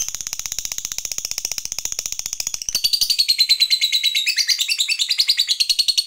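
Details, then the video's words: Fighter lovebird giving its long 'ngekek panjang' chatter, used as a lure to stir other lovebirds: a steady run of rapid, even, high notes that shifts about halfway into a louder, buzzier, warbling rattle. "FIGHTER NGETIK LANJUT NGEKEK PANJANG"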